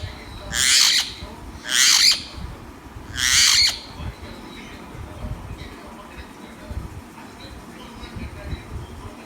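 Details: Green parrot letting out three harsh, raspy squawks about a second apart, followed by quieter background noise.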